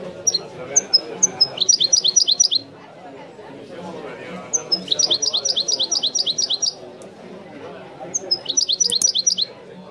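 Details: Wiidani-style singing by a European goldfinch: three separate phrases, each opening with a few sharp call notes and then a fast rhythmic series of bright, repeated chirps, with short pauses between them.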